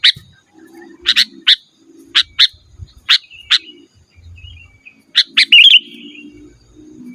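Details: Vigorous sooty-headed bulbul song meant to call a rival and train caged birds: sharp, bright chip notes spaced about half a second apart, ending in a quick warbled whistle, over a low droning hum.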